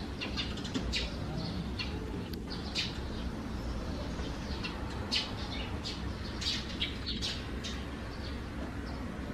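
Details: Sparrows nesting in a gutter hole under house eaves on a June morning (3 June 2020) give short, sharp chirps scattered irregularly several times a second, over a steady low rumble of background noise.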